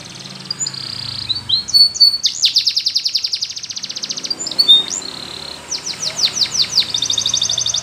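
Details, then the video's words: Spanish Timbrado canary song meant to coax a silent canary into singing: scattered whistles, a long fast metallic roll, a few sharp notes, then spaced descending slurs and another bright trill, with faint background noise. "Your Canary Doesn't Sound ?? Use Is, He Will Sing Diligently"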